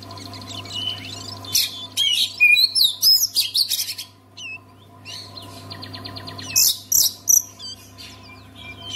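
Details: Oriental magpie-robin, a caged songbird, sung to get quiet magpie-robins singing: dense rapid phrases of high whistles, sharp upslurs and harsh rattles in two loud bursts separated by softer buzzy trilling, with faint low hum throughout.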